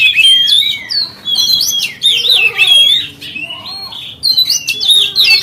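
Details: Oriental magpie-robin lure song meant to rouse rival magpie-robins: loud, rich whistled phrases with abrupt pitch jumps, separated by short pauses, and some lower warbled notes underneath.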